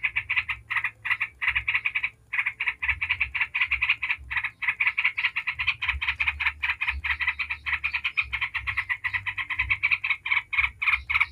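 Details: Lure of a yellow-vented bulbul in rapid ngebren chatter to make other bulbuls sing: long, rattling sequences of harsh, fast notes, one brief pause near two seconds.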